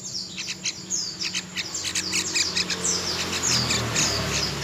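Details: A young wild-caught Yellow-vented Bulbul gives quick, high, scratchy chirps, several each second, over a steady low mechanical hum.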